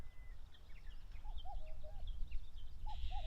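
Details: Territorial common cuckoo on a broad grassland by Mount Fuji, Japan, late May: several quick two-note cuck-oo calls, high then lower, over low rumbling wind. Thin chirps of other birds are also heard.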